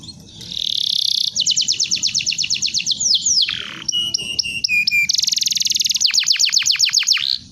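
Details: Canary song used as a tutor recording for training birds: a fast, loud run of repeated trills, rapid rising and falling whistled notes and a drawn-out descending slur, continuing with varied high chattering phrases throughout.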